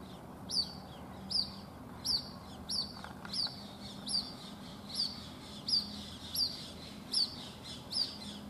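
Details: White-breasted waterhen chick at a house in Rajasthan, India, separated from its mother after she flew over a wall and calling non-stop. Thin high downslurred peeps repeat about every second over steady low background noise.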